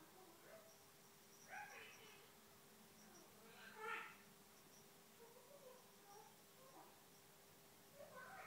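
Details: A female Eclectus parrot talks away to herself in the morning after waking; uneven run of murmured speech-like syllables with one louder squawky word in the middle and small high chirps, against a soft electrical hum.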